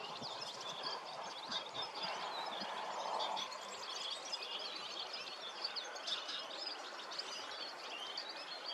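A European serin's high, fast, jingling twitter runs almost without pause, set against a steady rushing background hiss.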